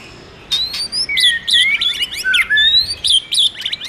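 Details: White-rumped shama song stimulated by a female: high clear whistles and rising sweeps interleaved with quick slurred notes and brief rattles, rich and varied after a short quiet start.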